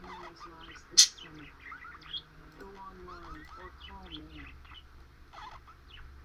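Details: Pet bird chattering to her bell, said to be saying "baby bird" in chirps: rapid varied chirps and short warbled, rising notes in a continuous stream, with a single sharp bell ring early on and a low hum beneath.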